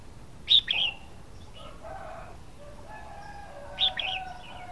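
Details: Red-whiskered bulbul song: two short, bright, chirpy phrases about three seconds apart, with fainter, lower drawn-out tones humming in the background.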